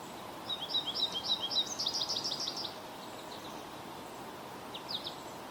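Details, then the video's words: American goldfinch in Ontario, high thin twittering chirps in a rapid jumbled series for about two seconds, then a brief pair of notes later, over steady broadband background noise. "Bird Chirping Sound - American Goldfinch"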